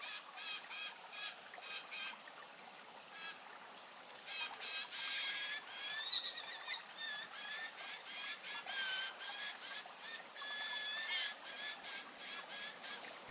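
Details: Young Blue Jays begging dramatically to be fed while the parents ignore them and leave: rapid, harsh, high-pitched calls repeated in dense bursts, with broken pauses between runs, growing louder and more insistent after the first few seconds; soft background hiss.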